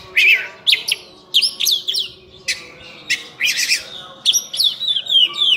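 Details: Oriental magpie-robin, locally named burung cincim pala, giving loud harsh bursts and scratchy phrases interspersed with slurred whistles, ending in descending whistled notes.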